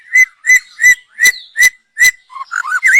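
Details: Lure song of a young wild white-rumped shama from the forest: six loud, clear whistled notes repeated about every third of a second, ending in a quick tumbling warble.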